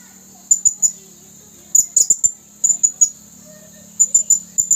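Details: Red-throated male blue-crowned hanging parrot calling out to wild birds during luring, recorded 27 August 2021. Short, piercing high notes come in bursts of two to four, repeated several times, against a constant shrill background hum.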